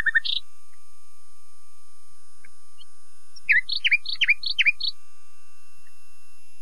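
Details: Common nightingale phrase: a short sharp note at the start, a long quiet gap, then a jumbled burst of quick chirps and slurred whistles.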